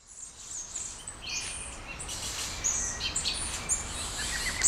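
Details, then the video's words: Small birds singing at dawn in Brasília, Brazil: high, thin chirps and short whistled notes overlap from several birds, growing busier after the first second over a soft background hiss. "Passarinhos ao amanhecer, em Brasilia"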